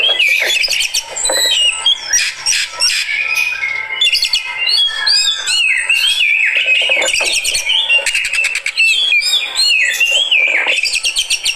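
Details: Fighter-style Oriental magpie-robin (kacer) reacting with rich nonstop singing: crisp whistles, looping slurs, rapid rattled trills and scratchy squawks packed tightly together.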